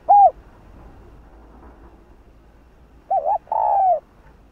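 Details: Spotted dove (cu gáy, cu đất) in the 'hạp bổi' voice style: one short hooked coo, a pause of nearly three seconds, then a double looped note followed by a long, slightly falling hollow coo.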